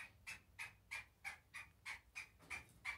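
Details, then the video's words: Black francolin from breeding pairs, giving a rhythmic series of harsh, clipped notes about three per second, evenly spaced, over quiet background. "Kala teetar black francolin breeding pairs"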